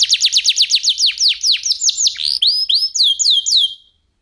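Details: F1SF canary song used as a tutor recording for white-rumped shamas and young canaries, described as a crystal voice with unique phrasing: rapid falling whistled sweeps repeated about five per second, then slower looping notes, ending in silence.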